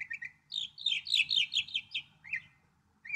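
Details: Northern mockingbird song: a couple of quick chirps, then a rapid cascade of high trilled and sweeping notes, closing with single slurred chirps, over faint low background noise.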